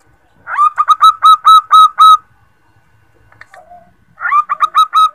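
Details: Zebra dove female calling a male, a lure sound: a fast run of about eight clipped, throaty coo notes, a brief pause with a faint low note, then a second stuttered series begins.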